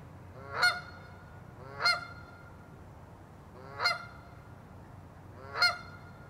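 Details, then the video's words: A Canada goose gives four loud, nasal honks, each brief and rising then falling, spaced about two seconds apart, over a quiet background. "Cri de la Bernache du Canada/Call of the Canada Goose"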